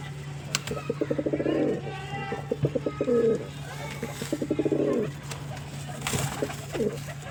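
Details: Pigeon cooing in repeated low pulsed phrases, a series of short throbbing notes ending in a longer rolling coo, recurring several times; faint background voices and steady low hum.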